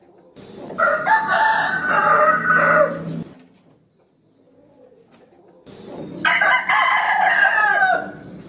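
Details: Rooster crowing, inviting a rival to fight, with two long harsh crows about three seconds apart, each roughly two and a half seconds.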